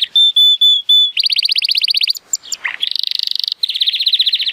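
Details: Male Timbrado Español canary, born 2018 and rated 83 points, singing on a sunny day: four clear whistled notes, then a quick pulsed trill, a brief gap with falling slurs, and two fast buzzy rolls.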